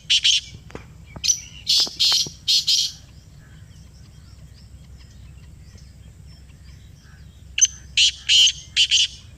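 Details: Black francolin (black partridge) in Pakistan, calling in response to a played sound: harsh, grating, high-pitched phrases in three loud bursts of rasping notes with quiet pauses between.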